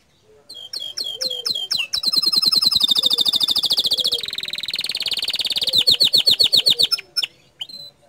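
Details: Bottle-green canary delivering a rapid, rattling tutor song said to provoke other canaries: a few upslurred whistles, then long fast trills of repeated notes, ending in short rising chirps.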